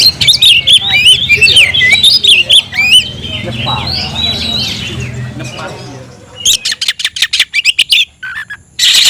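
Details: Oriental magpie-robin singing to call a rival to fight: a loud run of varied whistled, slurred and warbling notes, then a pause and bursts of harsh buzzy rasping notes, with a low hum underneath.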